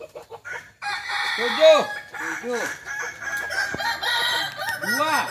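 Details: Kokok Balenggek rooster at a practice crowing contest in Ampang Kualo, Kota Solok, giving a long terraced crow of repeated arched, nasal syllables that rise and fall in steps over several seconds, with background noise.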